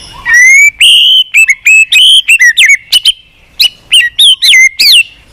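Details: White-rumped shama in persistent, varied song: an opening rising whistle, then a quick string of bright, slurred whistled notes, sharp and clear with almost no background sound.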